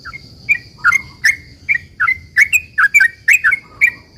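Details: Actively singing sooty-headed bulbul giving a long rapid 'ropel panjang' song meant to provoke other bulbuls into answering: short bright slurred chirps in quick succession, with a constant thin high tone behind.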